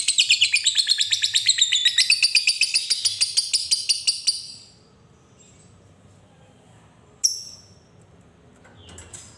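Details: Lovebird in a long ngekek trill meant to set other lovebirds singing; a rapid harsh chattering trill fills the first four seconds, then near silence broken by one sharp high note.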